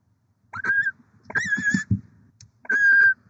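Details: Barn owl (Tyto alba), one of a nesting pair with six eggs, in Oceanside, California, on 23 December 2023, giving three short, wavering, tonal chirrups, each under half a second, over faint low rustling.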